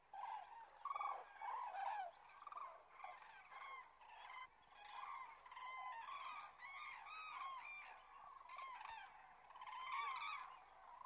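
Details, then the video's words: Resting common cranes south of Kastlösa, September 2013: loud, rich trumpeting calls from many birds overlap in a steady stream, each note ringing with strong overtones and some bending upward. "Tranor (Grus grus) Cranes"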